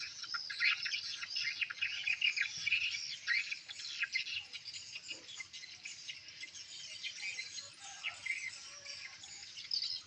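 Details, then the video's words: Many swiftlets call together in a new swiftlet house in response to lure and chick-call playback, giving a crackling, ticking, high-pitched chatter that swells and fades irregularly. "RESPON SP TRIPELQWIN VS PIYIK REVISI"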